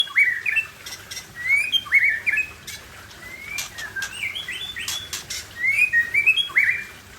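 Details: Wild white-rumped shama in Cot Goh forest, Bireuen, Aceh: clear whistled notes, short rising and falling slurs repeated in bursts, with sharp clicks and rustling among them.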